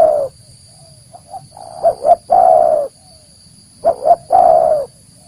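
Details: Luring call of the spotted dove, meant to draw in wild doves: soft scattered coos build into two loud phrases, each two quick notes and a long slightly falling coo, about two seconds apart; constant faint high whine.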